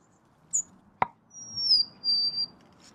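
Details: Golden-crowned sparrow giving a thin, high drawn-out whistle that drifts slightly downward, preceded by a short chip and a sharp click, against faint background noise.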